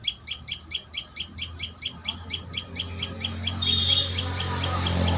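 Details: Common tailorbird at the nest giving quick, high chirps in a regular series for several seconds before a loud burst of broadband noise and handling sounds covers the recording.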